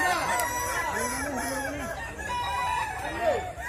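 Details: Kukuak Balenggek chickens at a West Sumatra crowing contest: low, drawn-out arched crows mixed with higher held notes from other roosters, over a busy crowd hum.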